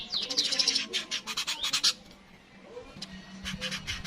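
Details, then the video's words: Yellow-headed weaver uttering a rapid series of buzzy, chattering notes over about two seconds, then a pause and a softer chattering burst, used as a master recording for songbirds. "Burung Manyar kepala kuning suara asli"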